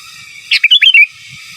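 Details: Sooty-headed bulbul singing a lively gacor phrase in the giras and menggaruda style, kept as master song material: a quick cluster of five liquid, warbling whistles lasting about half a second, with a faint background hiss.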